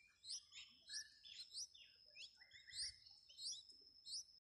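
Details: Newly hatched nestlings, possibly sparrows, beg with high, thin chirps, repeated about every half second, as their mother feeds them in a clay nest box, over a steady high-pitched whine.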